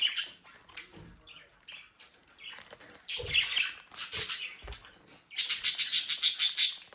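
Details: Young pet budgerigars from a home breeding in South Holland, Netherlands, chattering with soft scratchy chirps, then a loud fast run of buzzy, rapidly repeated notes at the close.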